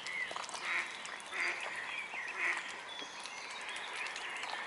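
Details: Mute swan cygnets calling, a series of about five short high peeps spaced under a second apart, then fainter peeping, against steady background hiss.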